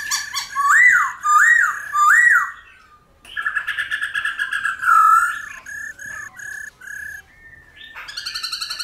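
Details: Black-throated laughingthrush singing in a wild-type, many-voiced style, used to stimulate and train wild-caught birds: three loud looping whistles, then a long run of rapid clipped notes and steady pulsed whistles.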